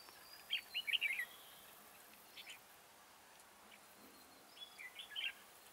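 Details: Caged red-whiskered bulbul used as a trapping decoy, singing two quick phrases of bright, rolling whistled notes separated by a pause, over steady background hiss.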